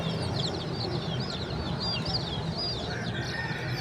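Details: Chicks chirping in a clear, busy chorus of high, curved peeps, some rising then falling, over soft low background noise.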